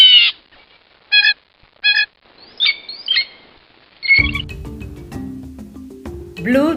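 A Blue Jay gives five short, ringing, harmonic calls about a second apart, fairly high-pitched. Narration and music follow.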